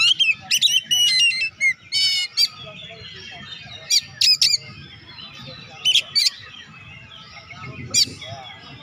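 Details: Oriental magpie-robin in energetic song used to stimulate lazy birds into singing: rapid bursts of sharp chips, squawks and short whistles, clustered early then sparser later, over a faint low background rumble.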